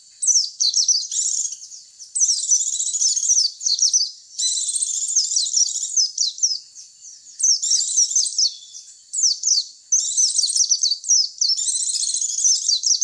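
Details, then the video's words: White-eye lure recording used to attract white-eyes: dense, high twittering chatter in bursts of one to two seconds separated by brief pauses, fast squeaky notes tumbling over one another, clean with no other sounds. "Suara pikat pleci"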